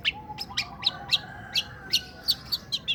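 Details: Long-tailed shrike in breeding condition, singing while giving rasping 'mengkorok' notes: a rapid series of sharp, high chirps about three per second, each a brief bright tick, over a soft steady hum.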